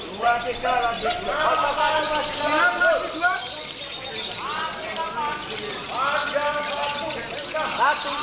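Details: Competition lovebird, aged 1 year 2 months, bought at 4.5 months from Blitar, its tail feathers once plucked by someone and now recovering, chatters nonstop in a long scratchy twitter of quick falling chirps and squeaks, with a man talking underneath.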